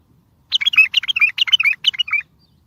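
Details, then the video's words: Strong bulbul song to make mute birds sing and draw other bulbuls for capture: a quick, cheerful string of chirped and slurred notes, lasting almost two seconds, with small pauses between groups of notes. "اصوات بلابل تغريد بلبل قوي ينطق الاخرس كذلك للصيد البلابل الاخرى يجيب البلابل البعيده"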